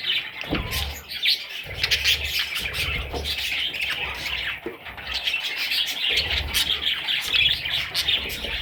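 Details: Little parrot chicks chirping nonstop in a shrill, buzzy chorus, with soft rustling and handling thuds in the background.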